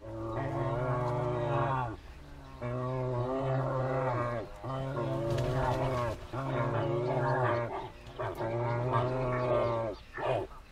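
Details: Dalmatian pelican (Pelecanus roseus) at Taipei Zoo, Muzha, 11 September 2015, gives five deep, hoarse, moo-like calls, each one to two seconds long with short pauses between them.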